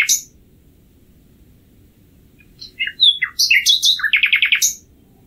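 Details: After a quiet opening, a common nightingale delivers a varied phrase of scattered high chirps and whistles that speeds into a short rattling trill of repeated notes.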